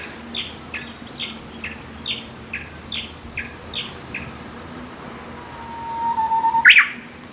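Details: Korean bush warbler, a summer visitor back in April, singing by bamboo on the hillside behind a house. A sustained pure whistle swells into an explosive warbled ending, after a run of another bird's regular high chirps.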